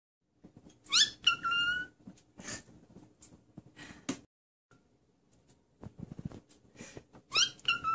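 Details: A cockatiel doing a "peekaboo" routine gives clear rising whistles and a held flat whistle, with a second burst near the end, among soft rustles and clicks.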